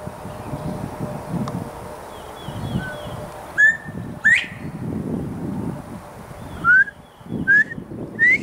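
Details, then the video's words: Male Northern Bobwhite calling loudly from a tree in Texas: one two-note whistle, flat then rising. Several shorter rising whistles follow, likely answering whistles, over rustling noise and faint chirping. "Sounds of a Male Bobwhite in Texas"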